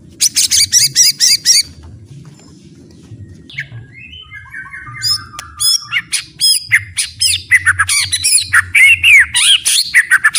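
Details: White-rumped shama song, offered as full-content training material for other shamas: a fast run of bright buzzy notes, a pause, a descending series of clear whistled slurs, then a dense burst of varied high chips and warbles.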